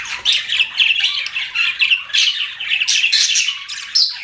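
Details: Budgies kept as pets give a busy stream of raspy chirps and short squawky notes, pulsing in quick, uneven phrases.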